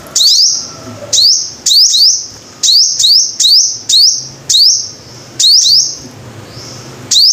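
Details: Five-coloured sunbird repeats thin, bright, upward-swooping whistles with hard onsets, in pairs and singles spaced under a second apart. A faint low hum sits underneath.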